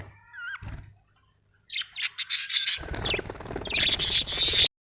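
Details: A lone curling whistle, then a pause, then busy high budgie chatter over a loud, broad rushing noise.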